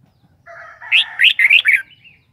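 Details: Red-whiskered bulbul: a soft nasal lead-in swelling into four loud, rapid, liquid whistles and a faint trailing note, against quiet background hum.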